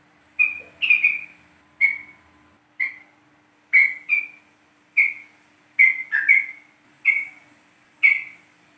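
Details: Yellow-vented bulbul lure from East Java, played to make the bird sing: short whistled notes near the same pitch, each sliding slightly down, about one per second, some in quick pairs, clean background.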